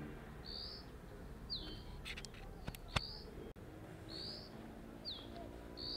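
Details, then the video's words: Loud calls of a Dark-grey bush chat sitting on a deodar twig, Jabbarkhet sanctuary in the western Himalaya: high whistled upslurs alternating with steep falling flicks, repeated roughly every second, with a few sharp clicks midway. "Dark-grey Bush Chat is a cute little diminutive bird with a loud call"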